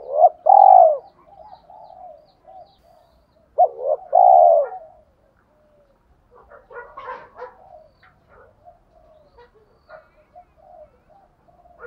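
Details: Spotted dove cooing in the thổ pha đồng voice style, used to lure other doves: two loud, low, hollow coo phrases in the first five seconds, then softer, broken cooing notes trailing off to the end.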